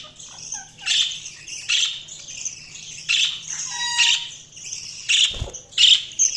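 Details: Budgerigar chirping in loud, harsh bursts roughly every second, each a scratchy squawk over softer continuous twittering, with one short low whistled note and a brief thump near the end.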